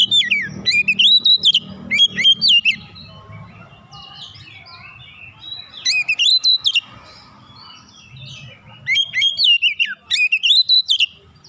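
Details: Oriental magpie-robin singing vigorously with open beak, showing off its repertoire to stir other magpie-robins into song. Loud bursts of rapid, ringing whistled notes sweeping up and down, in four or five outbursts over a low background hum.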